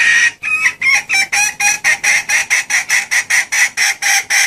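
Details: Female red junglefowl calling to attract males: a rhythmic series of short, squawking clucks, about four each second, steady and loud with light background noise.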